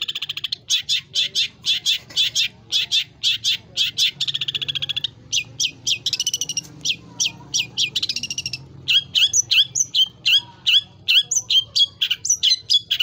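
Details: Long-tailed shrike in lively full 'isian' song, a training recording with mimicked fill-in phrases, high and low. It gives a long run of sharp, rapid high chips, then slurred downward whistles and varied clipped notes.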